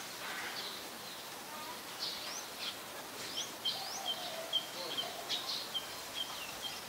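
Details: Adult Chestnut-headed bee-eater in Ubon Ratchathani, Thailand, on 13 February 2021, captured with a Nikon P1000: short, high chirping notes repeated in a fast, uneven series in the second half, with a soft, faint lower warble earlier.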